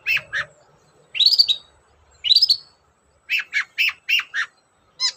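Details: Long-tailed shrike song used as a lure to get other shrikes singing: pairs of short chirps, then two rising whistled phrases, then a fast run of six clipped notes, ending in a thin trill.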